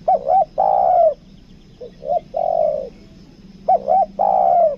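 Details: 'Kuk dua' cooing by a spotted dove kept as a lure bird in Lombok: three low phrases, each with two short clipped notes leading into a longer mellow falling note.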